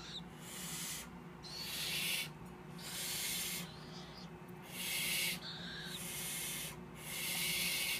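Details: Young captive tropical screech owls, three chicks hatched 6–7 March 2014, give harsh, breathy hisses, about one every one and a half seconds, over a low steady hum.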